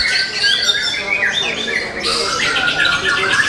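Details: A young forest-origin white-rumped shama pours out continuous song of layered whistles, quick downslurs and buzzy trills, with a brief switch in tone midway.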